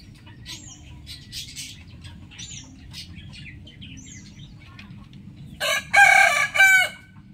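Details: Morning rooster crow, a loud, raspy cock-a-doodle-doo in several bursts lasting over a second, preceded by repeated high, thin chirps of small songbirds against a low background hum.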